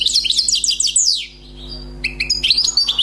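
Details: Wild, newly caught European goldfinch singing; fast, high twittering phrases of sweeping and trilled notes, a short quiet pause with a faint thin tone, then more bright chirping notes resuming. Low steady hum underneath.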